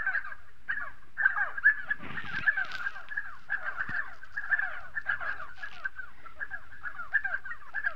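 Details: A flock of spotted sandgrouse (Pterocles senegallus) in southern Morocco chatters almost nonstop: many overlapping throaty, slurred notes dipping in pitch, with a few harsher bursts.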